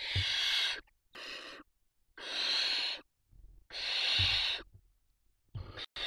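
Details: Barn owls at a nest in Ávila, filmed on a live nest camera, give harsh, breathy hisses, each lasting under a second and repeated about every second and a half, with faint rustling between bursts.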